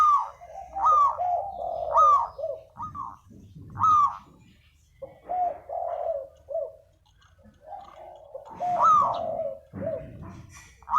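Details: Spotted dove used as a lure bird, giving a run of mellow, slightly descending hooted notes, often paired into short two-part phrases, repeated irregularly with brief quiet gaps and a low background rumble.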